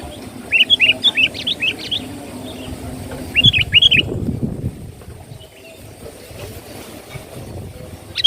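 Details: Sooty-headed bulbul lure song, sung vigorously: a run of six fast, chirpy whistled notes, then a shorter pair a few seconds later, followed by quieter distant chirps over low hum.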